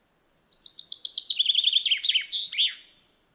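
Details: A common chaffinch recorded in the wild gives a bright, rapid run of high notes that speeds up and drops in pitch, ending in a sharp flourish, about three seconds in all.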